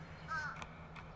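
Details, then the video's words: Fish crow of New Jersey marshes and beaches giving a short nasal caw followed by soft clicks, with a steady low hum in the background. "Fish crow"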